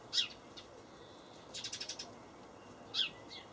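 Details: A young Eurasian tree sparrow in a Hamburg allotment garden on 17 May 2012 gives short, high chirps: one at the start, a quick rattled series of five or six notes in the middle, then two more near the end.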